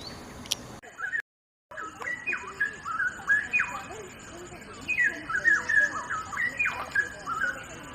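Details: Straw-headed bulbul singing energetically, a song suited for tutoring other birds: loud, rich whistled notes that drop sharply in pitch, repeated in quick bursts about three times a second, with a brief silent break near the start and a steady faint high hiss.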